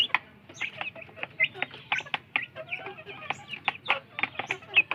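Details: Kampung chicken chicks scrambling for food give clear high peeps, some rising and some falling, scattered between pecking taps, with occasional longer sliding notes.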